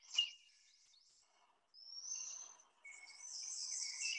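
Chipping Sparrow: a long, dry, high trill of many quick notes run together in a row. A faint background hiss is also present.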